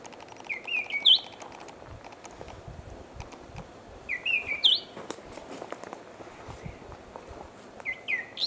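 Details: An Abyssinian ground thrush, a secretive species, calling in Ethiopia: short, sweet, high whistled phrases of a few rising and falling notes, repeated about every three and a half seconds over a soft rustling background.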